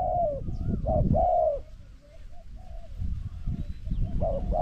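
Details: Spotted dove cooing during a decoy contest with a wild bird: a loud burst of hollow coos, a quieter stretch of fainter distant coos, then the loud coos return, over low rumble.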